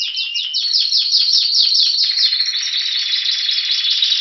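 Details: Spanish Timbrado canary, recorded in winter 2016 near Athens while waiting for spring: quick descending swept notes repeated in a rhythmic series, then a smoother sustained high trill with a thin whistled line running through it.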